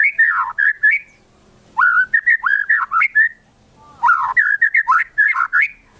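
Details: White-rumped shama song played to provoke other shamas to sing: rich, fluty whistled phrases with quick up-and-down slurs, delivered in bursts about a second long separated by short pauses.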